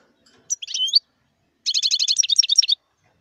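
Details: Wild European goldfinch singing a short liquid phrase that ends in a rising slur. After a pause comes a fast, rapid-fire run of bright, tinkling twitters lasting about a second.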